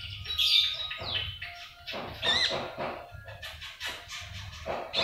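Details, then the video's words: Common iora singing in the trotolan style, a kept bird whose song is used to stimulate other birds to sing: bright high chirps and whistled phrases in irregular bursts, with low background rumble throughout. "Pancingan Konin Trotolan"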